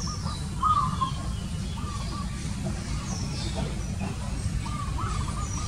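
Zebra dove giving soft, stuttering runs of cooing notes in short repeated phrases, over steady low rumbling background noise and faint high chirps from other birds.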